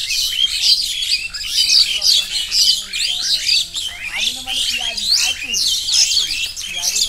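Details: Wild birds chirping near the Napittachora waterfall trail in Mirsarai, Sitakunda, Bangladesh, after a hill trek: a dense chorus of high, rapid twittering notes overlapping from several birds, with lower whistled and chattering calls beneath.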